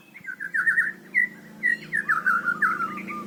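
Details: White-rumped shama pouring out varied whistled song to train young birds: warbled mid-pitched phrases in short bursts separated by brief pauses, over a steady low hum.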